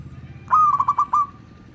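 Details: A single short cooing phrase from a local zebra dove, kept for luring other zebra doves: a quick rising start, then four or five soft rolling pulses at a steady mid pitch. Low background hum.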